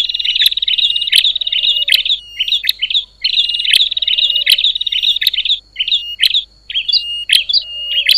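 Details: Two long bursts of fast high chattering from a noisy bar-winged prinia, the kind said to rouse other prinias, each followed by scattered short whistles and crisp ticks; nothing else audible.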